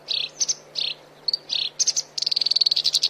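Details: Black-browed reed warbler song used for training songbirds. Harsh, scratchy chunks and high ticks come first, then a rapid, even rattle of bright notes fills the final second. A low electrical hum is in the background.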